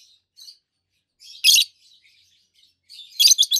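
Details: Pair of healthy adult green peach-faced lovebirds, faces red and yellowish-white, chirping: soft twitters lead into a loud grating chirp, then a rapid stuttered series of shrill notes.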